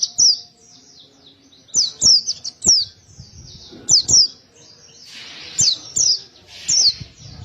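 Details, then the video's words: Pleci (white-eye) giving short high slurred chirps in pairs or small clusters, spaced irregularly with quiet gaps between, faint background hiss. "Suara pleci gacor ngotot penuh emosi tembakan tembus"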